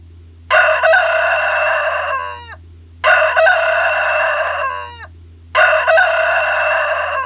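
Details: A domestic rooster (Gallus gallus domesticus), filmed close up, crows three times, about every two and a half seconds. Each loud, hoarse crow holds steady and then trails off in falling notes over a low, steady hum.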